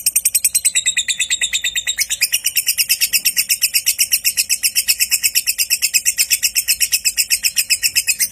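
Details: A lovebird's long ngekek, used as a lure to get other lovebirds singing: a rapid, unbroken run of shrill, harsh chattering notes, nearly three per second, holding steadily high throughout.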